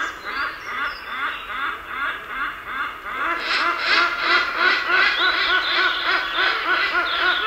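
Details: Deep in the jungle, hornbills give quick repeated honking cackles about three a second, growing louder and denser midway as more notes overlap, over a steady forest hiss.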